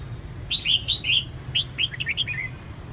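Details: A female red-whiskered bulbul calls to stimulate males to sing: short clear chirped notes, some rising and some falling, delivered in two loose bursts over a low steady hum.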